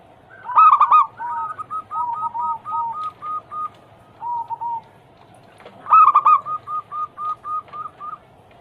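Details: Zebra dove (perkutut) cooing, used to prompt other doves to sing. Two loud bursts of rapid notes, about five seconds apart, each trail off into a long series of softer, evenly repeated coos.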